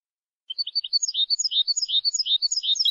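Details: European goldfinch song for training young goldfinches: a rapid, liquid twittering of jumbled high notes, tinkling and slightly buzzy, delivered without pause for over two seconds. Clean recording, no other sounds.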